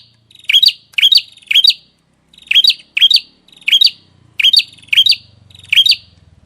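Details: Small bird's repeated high squeaky phrases in loose groups of two or three, each a fast rising twist of notes, with a faint low hum in the background.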